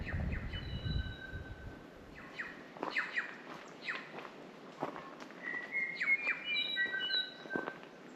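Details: New Zealand bellbirds in pristine Pureora Forest, New Zealand: pure, ringing tones held at several pitches, interspersed with quick downward-swept chips and snaps, building to a dense tonal burst near the end; a low rumble is heard at the start.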